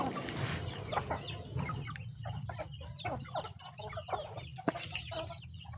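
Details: Chickens feeding, with scattered sharp pecks and quiet clucking under a constant low hum and hiss of background noise.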